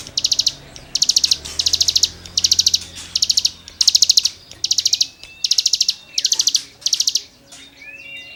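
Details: Cigun in lively song recorded for tutoring songbirds: steady series of brief, dense bursts of high rapid notes, roughly two per second, with faint thin whistles from other birds in the background.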